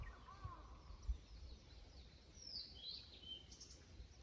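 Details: Blue-and-white flycatcher song recorded on 8 April 2026 by Yahata Falls, Rokko Mountains: a soft lower whistle at first, then bright high slurred whistles in a quick cluster, beneath constant low background rumble.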